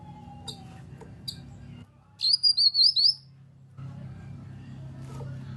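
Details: A grey-cheeked bulbul lure call, used to make other birds respond and sing: one burst of four or five rapid, bouncing high whistled notes, preceded by two faint ticks and a brief steady whistle.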